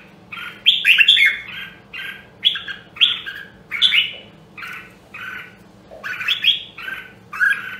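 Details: Nam Đông, Huế red-whiskered bulbul being voice-trained, repeating short punchy warbled phrases roughly every second, some sliding down, others clipped and buzzy at the onset; steady low hum underneath.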